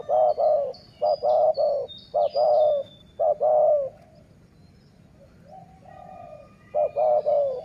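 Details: Dove cooing at decoy luring. Several quick series of short and long coos are followed by a pause, then a fainter reply and a new series. Thin high chirps of other birds are heard.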